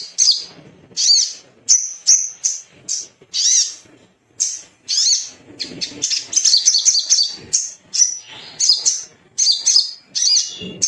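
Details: Shrill singing of a Little spiderhunter, used to stimulate song: spaced piercing high chips that later run together into a fast chattering series, then separate again.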